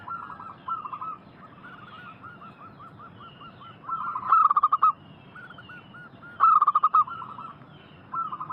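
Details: Zebra doves in a lure recording aimed at wild doves: soft rhythmic coo series running throughout, broken by two loud rapid staccato bursts a couple of seconds apart, several birds calling together.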